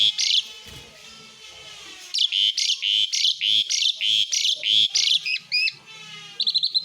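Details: Besetan burst of an Asian pied starling: a steady string of loud, rasping chatter notes, about three per second, ending in a few quick whistled upslurs.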